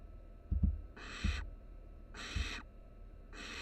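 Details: Barn owl nestlings, three huddled together in a Florida nest box at the University of Florida, give harsh breathy hisses about every second, with soft low thumps and knocks between them.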